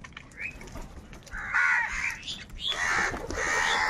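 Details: Crows squabbling over food, giving loud, harsh caws that swell into longer rasping calls in the second half, with several birds overlapping.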